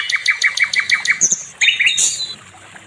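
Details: Nightingale (sikatan londo) in a recording meant to train other songbirds, giving a row of harsh repeated chirps, a few squeaky high notes, then a scratchy rising trill that fades out.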